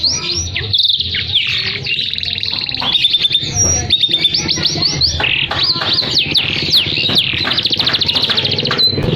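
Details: Canary in full, continuous 'gacor atas bawah' song mixing high and low notes, used to prompt silent canaries and as a master recording for tutoring birds; dense whistled sweeps and fast rattling trills pour out without pause.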